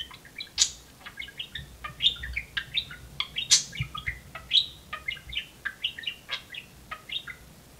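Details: Talking pet budgerigar chatters while playing on perches, giving a dense string of high chirps, squeaks and clipped warbling notes about twice a second, with faint low room rumble beneath.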